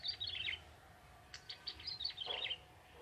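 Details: Singing young male bar-winged prinia, wild-caught from forest: two high, rapid chirping phrases of descending twittered notes separated by short sharp ticks, over faint background noise.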